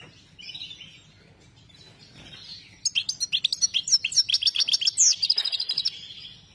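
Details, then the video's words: Singing European goldfinch gives soft twittering, then a rapid, loud sequence of high liquid chirps and tinkling trills, about two notes per second in pulses, with light background noise. "joker Saira goldfinch singing"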